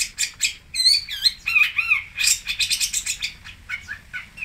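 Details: Long-tailed shrike (cendet or pentet) from Singosari singing a lively varied song: quick chattering notes mixed with bright whistled phrases that rise and fall in wavy slurs, delivered almost without pause.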